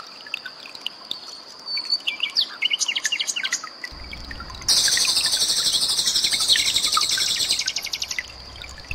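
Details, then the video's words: Common nightingale song in a mix with calls of another bird and trickling water, made as training material for cage birds; rapid varied chirps and whistles, then a loud dense buzzy trill from about five seconds onward. "SUARA BURUNG SIKATAN LONDO DAN GEMRICIK AIR"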